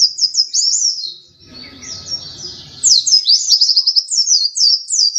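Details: Actively singing pleci dakun white-eye, second-place winner: high twittering phrases, a quieter stretch with low rumbling background, then renewed rapid shrill chirps and trills.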